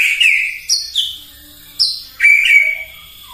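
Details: Provoking morning song of a White-rumped shama: separate sharp, downward-slurred whistles spaced apart, followed by a long, steady, pure whistle.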